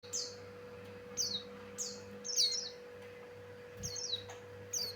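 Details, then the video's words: Male Javan grey-throated white-eye (pleci Buxtoni), singing prolifically; song used to lure birds. High, thin descending whistled slurs in short bursts at irregular intervals, with a steady low electrical hum beneath. "Suara Burung pleci Buxtoni Cocok Untuk Pancingan"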